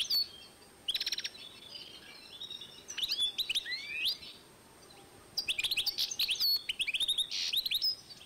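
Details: Song of a goldfinch-canary hybrid from 2012: scattered phrases of sliding whistles and sharp chirps separated by quiet gaps, ending in a rapid, busy twittering run with a short buzzy note.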